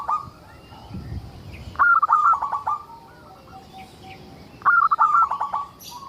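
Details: A chatty local zebra dove sings as a lure for other zebra doves. A trailing coo is followed by two full phrases about three seconds apart. Each phrase is a rapid stutter of short notes that fades into softer rolling coos.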